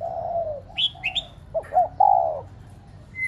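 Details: Spotted dove used as a decoy to rouse pet doves: a brief low drawn coo, then a pair of clipped notes and a steady low coo. Higher chirping notes from another bird sit in between.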